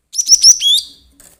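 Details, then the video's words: Agitated cinereous tit calling as a trapping lure: a brief burst of rapid, very high chirps that runs into a lower, drawn-out buzzy note, in a clean recording. "Burung Glatik Emosi AMPUH buat pancingan Mikat"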